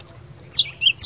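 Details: Cinereous tit singing a fighter-style song meant to make other birds answer: two sharp high notes, each a quick downward-then-upward sweep, close together over a faint low hum.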